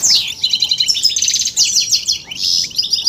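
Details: European goldfinch male prompted into song, delivering rapid tinkling twitters, a steep descending whistle at the start and a harsh buzzy note near the end, all high-pitched and lively.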